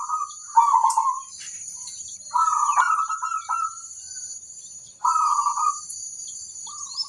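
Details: Local zebra dove calling other zebra doves to respond: three separate phrases of quick, rolling coos about two seconds apart, then a short final note, over a thin continuous high-pitched whine.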